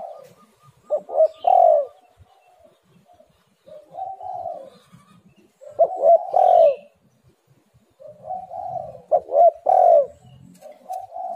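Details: Repeated spotted dove calling used to lure silent birds into calling: three phrases roughly every four seconds, each a soft lead-in coo followed by a loud, rising-falling, hollow note and a mellow tail.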